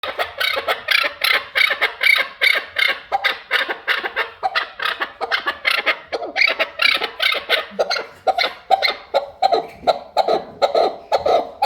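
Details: Chukar partridge giving a long, steady series of harsh, clucking chuck notes, about two per second, each a broad raspy burst, carrying on without pause through the recording.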